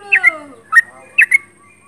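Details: Sooty-headed bulbul singing actively at close range: paired bright chirpy notes repeated about every half second, opening over a faint descending drawn-out tone.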